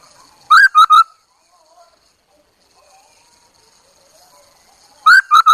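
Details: Chinese hwamei kept as a decoy bird, giving two short bursts of three loud, ringing whistled notes several seconds apart, with near silence in between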